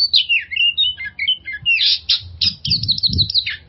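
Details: An oriental magpie-robin sings, a lure for stressed magpie-robins: descending whistled slurs, then harsh scratchy bursts and a quick series of clipped repeated notes, with low knocking sounds in the background.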